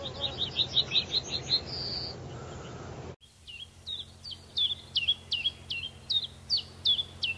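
Common Chiffchaff song: high, clipped notes repeated about twice a second in an even 'chiff-chaff' rhythm. It follows a quicker, twittering run of notes and a short buzz.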